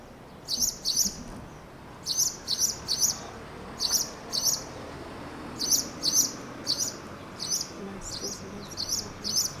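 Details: Spanish Sparrow calling from an abandoned building on Tenerife in April, just before lunchtime; very high, clipped chirps given in quick pairs and short bursts, separated by brief pauses.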